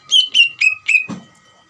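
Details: Greater green leafbird singing to provoke another leafbird to reply, four bright whistled notes sliding downward in quick succession, then a short harsh rasping burst before silence.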